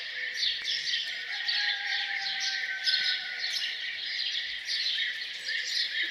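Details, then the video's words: Morning bird chorus near a farmhouse: a dense wash of high chirps and twitters, with a faint sustained lower whistle drifting through the middle. "Relaxing sound of birds singing down on the farm"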